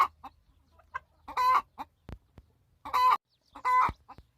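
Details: Harsh, strained screeches from a hen protesting the loss of her nest, each lasting about a quarter second, alternating with short quiet clucks and a few faint knocking sounds.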